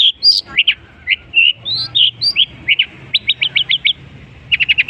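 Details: Long-tailed shrike song imitating other birds, a varied run of whistled slurs and sharp chirps shifting in pitch, ending with quick clusters of short high ticking notes.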